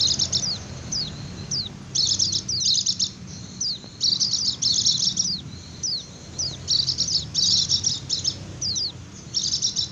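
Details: White-eye in 'ngecir' song, used to lure wild birds and make idle birds answer: high, rapid chattering bursts every one to two seconds, with single thin descending whistles in between, over a steady low background hum.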